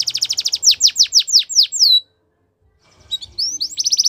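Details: Belgian canary singing: fast repeated high notes, then a series of descending swept whistles about ten per second, a brief silent pause, and the trill resuming with rising sweeps and rapid high pulses.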